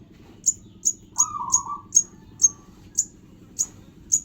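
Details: Sogon bird chick repeating a sharp, high-pitched tick-like chirp roughly every half second, with one drawn-out grating, mid-pitched rasp near the start, all over a steady low background hum.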